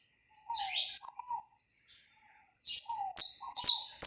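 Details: Warm-up song of a saffron finch, recorded live without edits: quiet low slurred notes and a pause, then two or three loud, descending high notes in quick succession.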